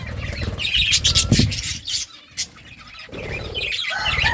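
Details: Feeding birds chirp as they eat, giving bright, rapid twittering bursts and a few clear rising notes over a steady low rumble, with a brief quiet gap before the chatter resumes.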